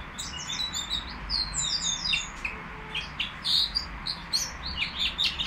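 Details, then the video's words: Nightingale at the Al-Qri'a bird market singing a continuous stream of high, sweet, slurred notes and fast chirps. Phrases rise and fall in quick succession, with a faint low hum beneath. "تغريد طائر الهزار"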